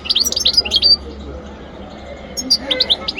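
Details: Newly acquired goldfinch × canary hybrid singing: a rapid burst of bright, high twittering chirps for about a second, a quiet stretch with low background hum, then another short run of sharp twittered notes.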